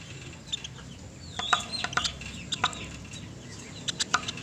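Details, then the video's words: A pelatuk beras woodpecker gives sharp, abrupt chipping notes in irregular clusters, with a few slurred high whistles mixed in, over a soft background hiss. It is a clear tutor recording for training pet songbirds. "MASTERAN PELATUK SUARA JERNIH"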